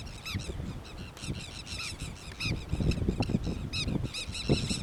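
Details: Dolphin gulls recorded during monitoring on 28 October 2021 at the Río Gallegos estuary, Santa Cruz, Argentina: a rapid stream of arched, squealing calls repeated many times per second, with low rumbling background noise.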